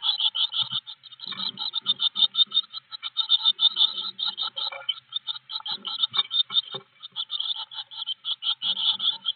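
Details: Blue tit at a side-view garden nest box, captured by a wired in-box camera on 25 May 2021; near-continuous trains of fast, high-pitched chirping pulses, with occasional softer low rustles or scrapes beneath.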